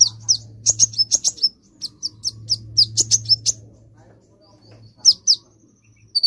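A sunbird gives quick bursts of thin, high, sharp chirps in short rapid runs, with brief pauses between phrases; a faint low hum sits underneath.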